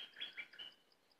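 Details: Cream-vented bulbul giving a brief phrase of three fast, slurred chirping notes that fade out, with a faint steady ticking in the background.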